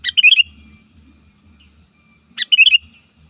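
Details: Short bubbly phrases of a sooty-headed bulbul used as a lure to call rivals in the wild, two bursts of a sharp note followed by rapid warbled whistles, with low muffled thumps underneath.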